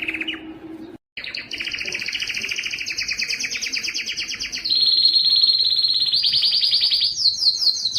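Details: Yellow canary, possibly Spanish timbrado or Belgian canary, sings a long, high run of rapid trills, each tour a fast buzzy rattle, shifting pitch and speed every second or two.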